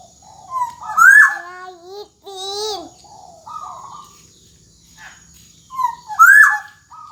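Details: Golden black-naped oriole delivering gacor dor jonbreak song as a tutor for young birds: several varied phrases of rising whistles, buzzy slurs and harsh rasping notes, the loudest bursts about five seconds apart.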